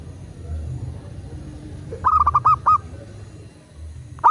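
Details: Local zebra dove cooing, a recording meant to draw other doves into singing: after two quiet seconds a quick run of about six clipped, rhythmic coos, then a new phrase begins at the end, with low background hum.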